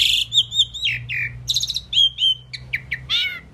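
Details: Pied myna that can say words gives a fast sequence of sliding whistles, a raspy burst, a long level whistled note and several sharp downslurred chirps, ending with a rising, slightly rough phrase, with faint low background hum.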